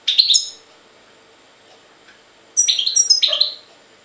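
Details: European goldfinch from Jagodina, Serbia, giving loud, bright twittering notes: one sharp chirpy burst, a pause of two seconds, then a quick run of three or four tinkling, slightly nasal phrases.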